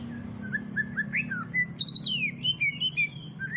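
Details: Greater green leafbird in ngentrok song, played to stimulate other leafbirds to sing: clear whistled notes, some rising and some falling, then a high descending run of bright slurs over a steady low hum.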